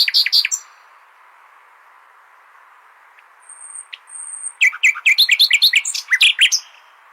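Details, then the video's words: Common nightingale singing to train goldfinches: a short rattle opens, then silence and two thin, very high drawn-out whistles, then a lively, varied cascade of sharp chirps and trilled notes. "تغريد جميل للعندليب"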